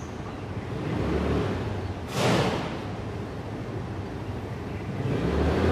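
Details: Low traffic rumble with a passing vehicle's whoosh sweeping through midway; no animal calls.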